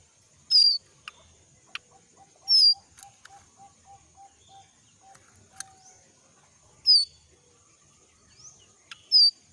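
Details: A young jongkangan in forest, moulting, calls: sharp, high, down-slurred whistles about two seconds apart, over a steady insect drone and a soft run of low piping notes; used as a lure call.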